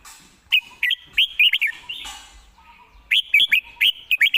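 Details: Red-whiskered bulbul singing rapid runs of bright, wavering whistled notes in two bursts separated by a short pause, with faint lower chirps in the background.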